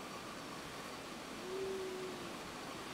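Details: A male white-throated ground dove cooing in a Macaranga tree on Rota, CNMI, 25 Nov 2017, gives a single low, soft coo about a second long, slightly arched in pitch, over a steady hiss; Mariana fruit dove in background.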